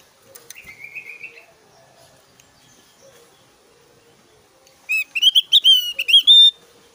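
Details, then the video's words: Javan grey-throated white-eye singing its varied whistles and loud bursts: a soft buzzy trill and faint low notes first, then a loud rapid sequence of clear, sharp whistled phrases, slurred up and down, near the end. "SUARA SIULAN JUGA TEMBAKAN 💯 DAHSYAT BURUNG OPIOR JAWA GACOR"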